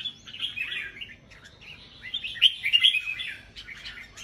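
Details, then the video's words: Competing caged red-whiskered bulbul, 'bông' type, in Vietnam: a lively run of warbling, chattering phrases with a louder, brighter flourish in the middle, delivered fast and unevenly. "Chào mào bông siêu ché đấu giàn hàng thi thố"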